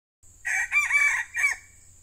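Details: Wild male junglefowl, described as fierce, crowing after being lured by a young male decoy bird. It gives one loud, harsh crow broken into four short segments over about one and a half seconds, over a steady high insect whine.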